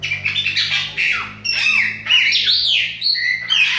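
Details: Bahia-type Chopi blackbird, with a young bird mentioned. Loud, slightly harsh whistles rise and fall in linked phrases, with squawky notes mixed among clear slurred tones.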